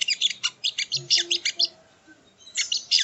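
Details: Sogon (sogo ontong) song used as training audio for cage birds: rapid bursts of high, sharp chirps in quick runs, a short pause near two seconds, then more clustered bright notes.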